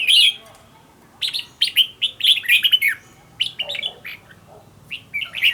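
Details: Trained decoy red-whiskered bulbul singing fast and intensely. Loud slurred whistles alternate with quick clustered notes and pauses, and occasional lower chirps come in between.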